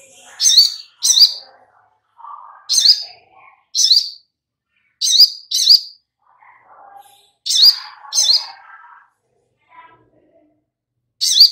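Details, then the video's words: Sogok ontong, the little spiderhunter, as a singing lure: loud, high, abrupt chip notes, often in quick pairs, about ten over eleven seconds, with quieter low chirping between them. "Pancingan SOGOK ONTONG Biar NYAUT GACOR || Pancingan Sogon biar Bunyi"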